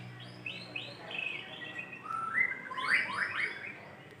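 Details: White-rumped shama male singing to call a female: varied whistled notes and slurred rising phrases between about one and five kilohertz-range pitches, faint at first then louder runs in the second half, over steady background hum.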